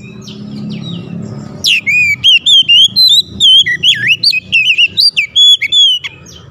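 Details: Oriental magpie-robin song intended to make other magpie-robins join in: after a low hum, a steady run of loud clear whistles, rising and falling slurs, and sharp chips for about five seconds.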